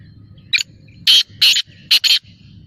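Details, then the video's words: A black francolin calls loudly: one brief high note followed by two harsh grating notes and then a quick tighter pair, a coarse rhythmic phrase over a faint low rumble. "Kala Teetar Awaz / Blackfrancolin Voice کالا تیتر کی بولائی"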